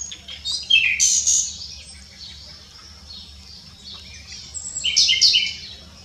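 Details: Nightingale song recorded at s'Albufera wetland on Mallorca, 2017: a loud opening phrase of sharp high notes and a descending whistle, a quieter stretch with soft distant calls, then a rapid rattling series of repeated notes; steady low background hum.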